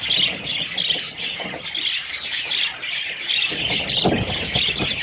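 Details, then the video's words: Baby parrots calling together in a continuous high, shrill chirping chorus, thin peeps overlapping and repeating rapidly, about one and a half per second, with soft low thumps and rustling underneath. "Parrot little babies"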